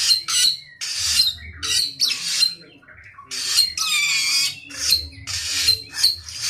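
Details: Samyong singing vigorously: harsh, noisy rasping bursts, some with thin whistled tones, about eight bursts separated by short pauses, plus one longer scratchy phrase with sliding overtones near the middle; faint low hum underneath.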